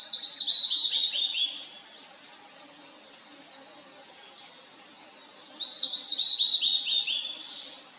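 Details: Wild Blue-and-white Flycatcher singing: two phrases, each a run of clear, high, descending whistles that ends in a brief buzzy burst. A quiet gap separates the phrases, with a faint, steady, low hum throughout.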